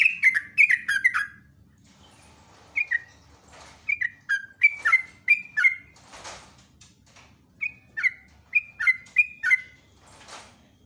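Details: Sooty-headed bulbul, locally trucuk, in extended song: bursts of rapid slurred downward whistles separated by short pauses, with a couple of soft rustling noises between phrases.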